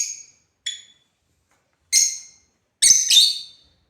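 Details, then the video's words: Sharp high squeaks and screeches from African lovebirds at play, ending in a doubled, grating chirp. "Love Birds #playing"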